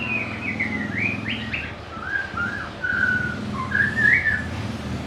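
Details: White-rumped shama, a songbird noted for varied melodies and imitating other birds, gives whistled phrases: a fast run of falling notes, then longer drawn-out whistles and a rising flourish, over a low steady hum.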